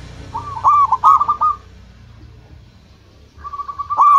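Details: Zebra dove, local type, singing to lure other birds: a phrase of quick stuttered coos ending in a drawn-out note, then after a pause a second phrase, with background rumble and hum.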